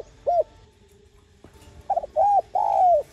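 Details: Spotted dove, known locally as cu đất, cooing to stir up and train decoy doves. A lone hooked coo comes first, then after a pause three coos, the last drawn out and falling.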